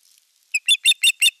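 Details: Courting osprey at Eurajoki, 25 April 2022, displaying to an unringed female: after faint twittering, five loud, ringing whistled notes follow evenly at roughly six per second.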